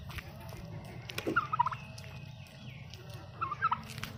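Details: Angry wild turkey tom gobbling: two short rattling bursts, one at about a third of the way in and one near the end, over a steady low rumbling background.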